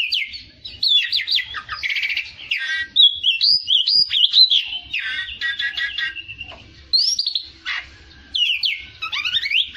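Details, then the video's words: Oriental magpie-robin (kacer) singing in a long, varied string of whistles, fast trills and buzzy rattles, with low soft thumps in the background. "MASTERAN KACER JADI FIGHTER"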